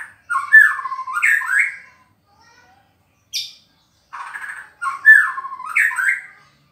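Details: A white-rumped shama calls out to a tough rival, singing two rich, fluty warbled phrases with rising and falling notes, separated by a sharp single note and a brief buzzy trill.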